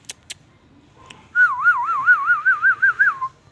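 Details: Green ring-necked parakeet talking, giving one steady whistle that wavers rapidly up and down for about two seconds before dropping away. A few faint clicks come before it.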